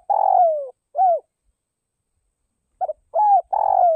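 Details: Decoy spotted dove cooing to attract wild doves: a long rough downslurred coo and an arched coo, then after a pause a stuttered double note, an arched coo and another long burred falling coo; faint low thumps.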